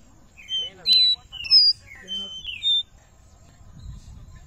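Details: Captive Black-bellied seedeater in Recife, Brazil, feeding on estrelinha seeds: about five short, clear whistled notes, some rising and some slurred downward, given in quick succession. Then a pause with faint low hum and quiet background voices.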